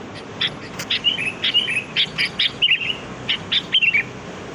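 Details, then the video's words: Sooty-headed bulbul song used as a lure for wild birds: a lively series of short bubbly whistled phrases, each slurring down and repeated about once a second in uneven bursts, over faint background hiss. "Suara pikat burung kutilang || Kutilang Gacor"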